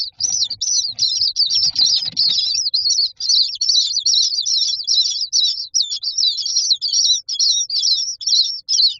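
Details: Several myna chicks in a nest box waiting for food call almost nonstop: a rapid, continuous stream of shrill, wavering squeals, with rustling movement during the first seconds.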